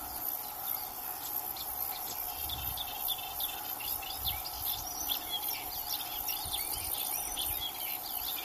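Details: Melodious warbler in dense, fast chattering song, a continuous jumble of high scratchy and twittering notes running without pause, with insects buzzing and low background rumble underneath.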